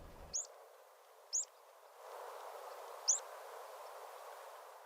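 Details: A Rock Pipit, a UK resident of rocky coasts and cliffs, gives three short, high, explosive single calls, strong and assured, repeated slowly over a few seconds above a steady low rush of wind or surf.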